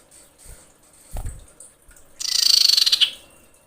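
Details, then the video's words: Female common iora in breeding condition, calling males: one loud, rapidly pulsed, rasping churr about a second long, after a few dull low knocks. "suara pikat sirtu/cipoh birahi menjerit memanggil jantan"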